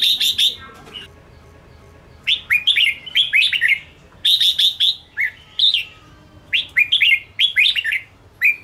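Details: Red-whiskered bulbul from Ché singing a combative song to provoke rivals: strong, repeated whistled phrases opening with sharp even notes, followed by descending slurred chirps in irregular bursts about every second.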